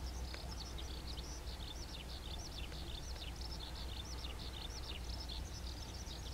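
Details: Little curlews in Chiba, Japan, April 2022 (220420), give many short, sharp, high whistled notes overlapping throughout like a flock calling together, over a heavy low rumble of wind or distant traffic.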